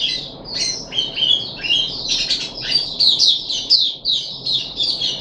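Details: Continuous twittering and slurred whistled notes, high and rapid, sung by a puff-backed bulbul kept in a cage, recorded 14 July 2021 on its third day of deworming.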